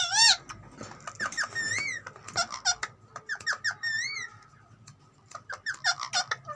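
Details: Green ringneck parrot, kept as a pet, making squeaky, chattering vocal sounds: rapid bursts of sharp, rising and falling whistled squeaks, some with wavering tones, in clustered phrases with short pauses, indoors in a quiet room.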